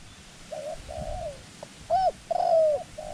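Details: Decoy dove luring wild doves during dove trapping on the ground in Thailand: soft, even cooing notes, then two loud, bright, ringing coos with a falling slur, and fainter coos in between.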